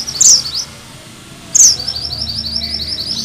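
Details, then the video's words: Sunda bush warbler (mantenan gunung merah), a bird valued for its 'ngerol' song and as a lure to provoke magpie-robins: two sharp, very high piercing notes, each followed by a quick series of thin repeated chips. "Suara MANTENAN GUNUNG MERAH GACOR"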